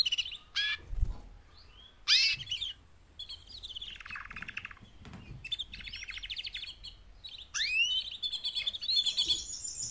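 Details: Female canaries, four together, calling to spur males into louder singing: bursts of fast trills and buzzy rolls, sharp rising sweeps and bright whistled runs, with brief quieter gaps and faint low background noise.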